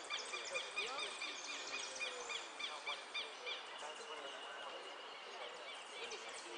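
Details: Jilguero (saffron finch) in the repique category of a Zona Norte singing contest, 8-12-14, placing fourth; rapid, jumbled chirps and short twittering notes repeated several times a second over steady crowd murmur and voices.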